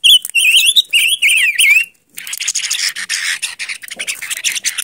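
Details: Silver-eared mesia song: quick warbling, looping whistled phrases for about two seconds, then a brief pause followed by scratchy, rustling noise.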